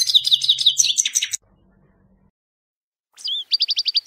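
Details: Grey-headed goldfinch gives a fast chattering trill for over a second, falls silent, then resumes with a short upslurred note and a series of crisp, evenly spaced chirps.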